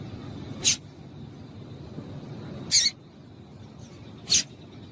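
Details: Female Double-collared seedeater call, used to excite male seedeaters into singing: three short, high, sharp chips, spaced irregularly over about four seconds, against a low background hum.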